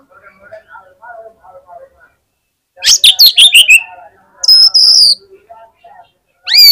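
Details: At a songbird contest, a fighter Oriental magpie-robin said to trigger rival magpie-robins: soft low warbling at first, then a loud burst of harsh rapid notes, a sharp high whistle, and a rising swept note at the end.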